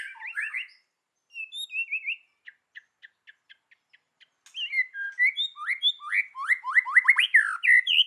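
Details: Female white-rumped shama singing in a forest-style voice: varied whistled phrases, a run of short evenly spaced clicks, then a rapid burst of rising and falling whistles and chattering notes.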